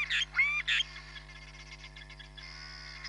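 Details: Hamerkop at Nkorho Bush Lodge, live camera, 31 July 2021: three sharp nasal yips in rapid succession, then a faint fast trill fading under a low steady hum.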